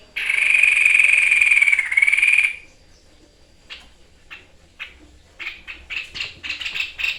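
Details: Captive White-chested Babbler in full "tembakan" song for training: one long, sustained, buzzy rattling trill, a quiet pause, then sharp clipped notes repeating faster and louder.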